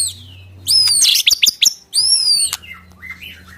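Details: White-rumped shama in a cage giving two long arched whistles with sharp clicking notes between them, followed by softer lower warbled phrases.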